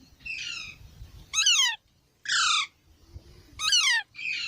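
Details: Baby parrots squawking: loud harsh downward-slurred squawks alternate with flatter buzzy calls, roughly one every second, in a quiet setting.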